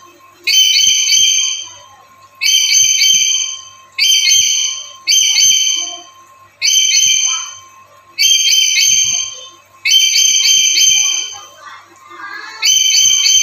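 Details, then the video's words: Black-capped lory, a diligent daily caller used to lure other lories: a series of about eight loud, raspy, drawn-out screeches, roughly one every one and a half seconds, over a faint constant hum. "Suaranya Bikin Nuri Lain Langsung Gacor"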